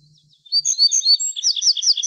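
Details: Little bunting song starting after a short pause: a fast run of high, clear ringing notes that turns into sharper repeated chirps, all loud and close.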